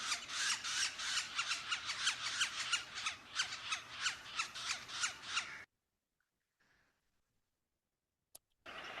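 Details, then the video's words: Yellow-bellied Sapsuckers, two birds interacting, possibly territorial, agitated males: a rapid run of harsh, scratchy squeals, about three a second for five seconds, then a pause and a faint noise. "That's a call they make when they're interacting with another sap sucker. They're doing that here now."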